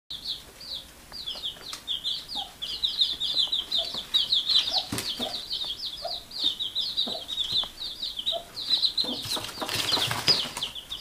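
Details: Many baby chicks with their mother hen as she calls them to sleep; dense, continuous high peeping and cheeping chatter from the brood, with rustling and a burst of wing flapping near the end.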